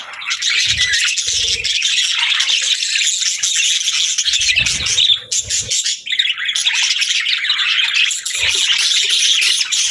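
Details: Budgies, or parakeets, keep up steady high chattering, with dense squeaky chirps and warbled trills, a few brief lulls, and some low fluttering thumps.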